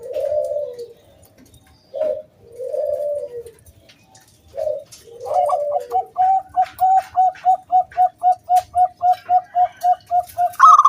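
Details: Local zebra dove, a lure song to draw other doves into singing, in the round 'kung' crystal-voice style: soft low rolling coos, then a fast even run of about seventeen clipped hooting notes. Faint rustling behind.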